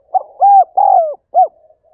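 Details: Spotted dove calling, gáy gọi style: one mellow phrase with a soft short lead note, a rounded coo, a long falling coo and a short final hoot.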